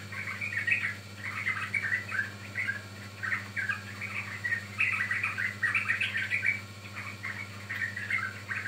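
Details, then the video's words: Sooty-headed bulbul song played as a lure for trapping or training birds: a busy run of short bubbly whistled notes, rising and falling, repeated without pause, over a steady low electrical hum. "Pancingan Ampuh Burung Trucukan"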